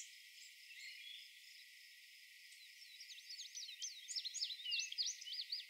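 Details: Black-and-white warbler at Doodletown late in the season, singing an unusually complex but fully crystallized squeaky-wheel song of rapid two-note phrases, growing louder over a few seconds; indigo bunting faintly singing in background.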